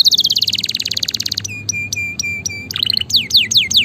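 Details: Canary song used to stimulate and train other canaries: a fast trill of rapid chirps, then repeated flat whistled notes, then short descending whistled sweeps.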